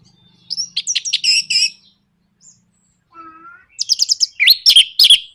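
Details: Orange-headed thrush song meant to goad other birds into singing, with rapid buzzy stuttering notes, a pause, a soft low whistle, then a loud jumble of sharp rising and falling chirps.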